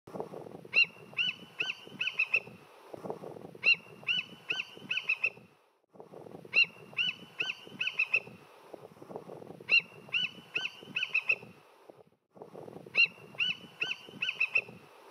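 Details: An immature bald eagle, filmed from a kayak, gives high, thin chittering notes in quick bursts of about five, the series repeating every two to three seconds over a low background rumble; recording looped.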